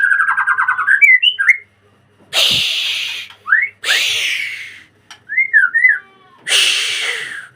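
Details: A white-rumped shama sings in a breeding cage: a quick trill of whistles, then loud, harsh, rasping bursts alternate with short looping whistled notes.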